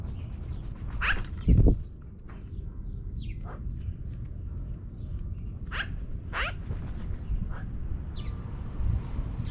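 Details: Magpies perched in a tree and flying down: a series of separate harsh, descending call notes spread across several seconds, with a low thump and constant background rumble.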